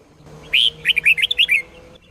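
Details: Red-whiskered bulbul, Sông Kôn song used to train caged birds: one full phrase opening with a drawn whistle, then five or six quick liquid notes bouncing up and down, over a low steady hum.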